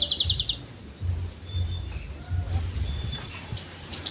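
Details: Sogon trotol song used as songbird training material: a short burst of fast high trilling, then quiet with faint thin whistles, and a few sharp high notes returning at the end.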